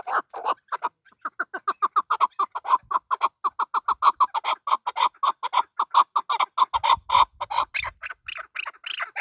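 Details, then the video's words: Male chukar partridge, desi type, calling in a long steady run of short clucking chuck notes, about four to five a second, after a couple of louder opening notes. "Male chakor voice. Chakor voice. Desi chakor voice. Chakor sound. chakor ki awaz."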